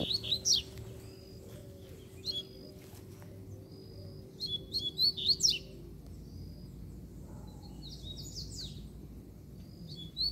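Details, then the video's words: Aggressive free-flying Double-collared Seedeater in the wild, its yellowish female perched nearby, delivers scattered short bursts of high whistles and chirps over a constant background hiss. "QUANDO O COLEIRO SOLTO FIBRADO APARECE!!!"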